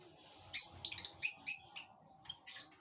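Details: Caged lovebird chick of the parblue opaline pale fallow colour being fed in a flight cage. Rapid, loud, raspy chirps come in a quick run of five or six bursts, then fainter chirps follow.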